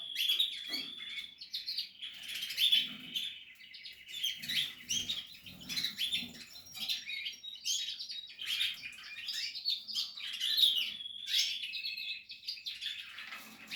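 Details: Nestling canaries, Portuguese harlequin, captive-bred, producing loud continuous high-pitched squeaky twittering from several chicks, rapid and overlapping throughout.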